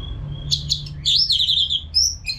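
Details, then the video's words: Orange-headed thrush, a caged bird singing continuously as a therapy track for other birds: a thin steady whistle, two sharp chirps, then a rapid warbling run of high whistled notes and a final high trill. "ANIS MERAH GACOR TIADA HENTI TANPA NGETEM"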